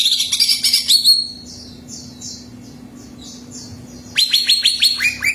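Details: Loud greater green leafbird song played to prompt a kept bird to sing: bright, rapid, downward-slurred whistles open and close the clip, with softer repeated chirps from other birds in the quiet middle and a low hum.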